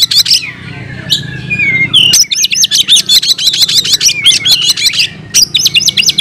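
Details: Oriental magpie-robin (kacer) singing hard in fighting mode, delivering its mimicked fill-in phrases: a few slurred whistles, then a long fast burst of sharp repeated high chattering notes, about five per second, with a brief pause before more.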